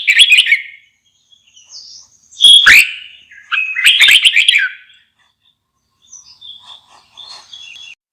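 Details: Red-whiskered bulbul singing: bright, warbled chirping phrases in bursts, one short phrase, a pause, then two louder rich rolling phrases, ending in quieter scattered twitters; quiet background.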